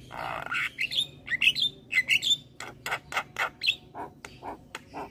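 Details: Lively Javan myna song packed with fill-ins, played to get other mynas singing: a rough nasal squawk, then bubbling whistled slurs and chips, ending in a spaced series of short clicking notes.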